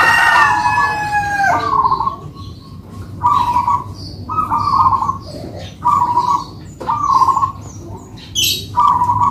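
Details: A rooster crows at the start, then two local zebra doves held by keepers trade rolling, purring coo phrases in a manggung duet, each burst under a second long and evenly spaced.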